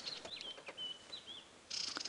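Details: White-browed Scrub Robin alarm calling at 6:30 AM on July 12, 2016, probably at a nearby Pearl-spotted Owl: thin, high whistled notes slurring up and down, then a harsh buzzy rattle, over faint outdoor hiss.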